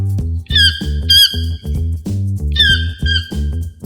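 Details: Toucan giving short, shrill, upward-flicking squeaky calls in two bursts roughly two seconds apart, backed by steady rhythmic children's music.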